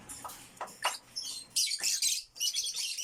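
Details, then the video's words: Backyard African lovebirds chirping: a few short lower notes, then dense, shrill, scratchy chatter in two long bursts. "violet african lovebirds / backyard chirping sound"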